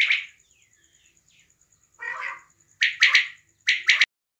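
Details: Female quail, Pakistan, hunting context: an opening bright note, a softer rasping burst, then two fast groups of sharp, high, clipped notes.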